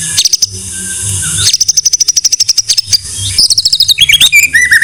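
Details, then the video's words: Songbird tutor recording of a white-rumped shama: rapid strings of high repeated notes in several runs, closing with lower, fluid rising and falling whistles. "Masteran MURAI BATU"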